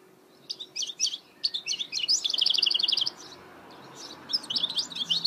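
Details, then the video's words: Song of a goldfinch hybrid (mule): scattered twittering chirps building into a fast, even trill of repeated notes, then a brief lull and renewed chattering twitters. "Chant mulet chardonneret تغريد هجين الحسون"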